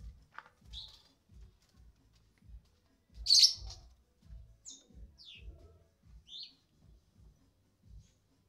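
Sooty-headed bulbul giving a few short, bright chirping notes with pauses between them, over a steady low thumping beat.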